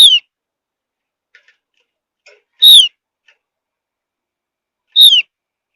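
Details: Javan grey-throated white-eye, a seed- and insect-eating bird of high mountain forest used to coax other birds to sing, repeats short, thin, downward-sweeping notes every two to three seconds, with faint ticks between.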